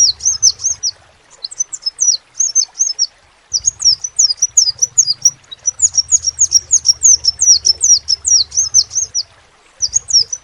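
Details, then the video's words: Song of a crimson sunbird: high-pitched, rapid chattering of slurred squeaky notes, roughly two per second or faster, in several extended bursts with short silences, over a faint low droning hum. "SEPAH RAJA TERNYATA MEMPUNYAI KELEBIHAN DARI SEGI SUARA NYA YANG KHAS"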